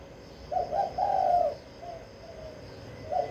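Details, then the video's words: Spotted dove, a caged decoy from Vĩnh Long, Vietnam, gives a short burst of rich low coos, then trailing soft notes and one more coo at the end. "Cu gáy kích bổi mau nổi"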